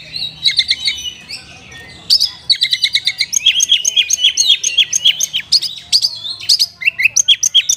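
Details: Oriental magpie-robin (Copsychus saularis) singing a rich, rapid string of sharp whistles and chattering notes, mostly high-pitched and varied, several a second; used to provoke sluggish magpie-robins into singing.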